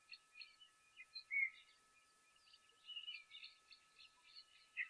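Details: Lesser striped swallows in semi-arid Madikwe Game Reserve on 28 December, after rains in hot dry weather, give short high chirping and twittering notes in scattered bursts with one louder note, over faint hiss and electronic hum.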